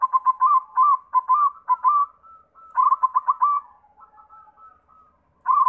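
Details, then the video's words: Lure song of a white zebra dove meant to set other doves singing: repeated clusters of rapid, bubbling staccato coos, a short pause of softer sustained notes, then the bursts resume. "Sura Perkutut pitih PAMCINGAN SEMUA JENIS PERKUTUT"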